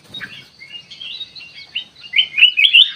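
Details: Kutilang emas played to lure birds into responding: soft rambling warbles at first, then a loud closing burst of rising, bubbly chirped notes.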